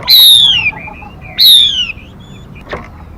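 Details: Female Mi used to lure and excite birds: two strong falling whistles about a second apart, with faint twitters after.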